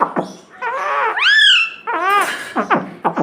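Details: Talking pet parrot known for saying "mummy". A short, voice-like run of syllables includes a long bright rising tone in the middle, then quick clicky, choppy notes toward the end.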